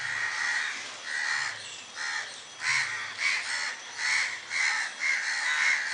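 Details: Harsh cawing from a flock of crows sitting in a tree with others flying, loud rasping calls coming in quick series from several birds at once, roughly one to two caws per second.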